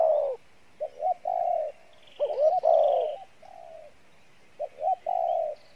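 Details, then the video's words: Low cooing of a decoy spotted dove in the Pha Bài Lối style. Double short notes lead into long steady coos, with a louder, quavering, descending coo in the middle, repeated at irregular intervals. "Đồng Pha Bài Lối , tốt Giọng , Gù khá"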